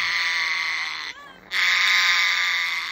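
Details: One of a pair of pet African grey parrots kept in Germany gives a loud, harsh, sustained screech with rich harmonics. A brief drop in the sound comes just after one second, then the call resumes just as strongly to the end.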